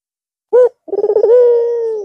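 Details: A single coo from a white red-eyed Barbary dove resuming its song after the long Eid al-Fitr holiday: a brief opening note, a pause, quick pulsing rolls, then a sustained level tone fading slowly.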